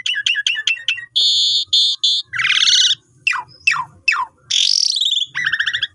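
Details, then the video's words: Asian pied starling's gacor lure song for tutoring new birds opens with fast repeated chips. Broad harsh squawks, a rasping burst and steep falling notes follow, then a stuttering buzzy phrase, with faint low noise beneath. "Pancingan Jalak Suren Nyapam Gacor Suara Panjang Cocok Untuk Masteran Burung Baru Beli"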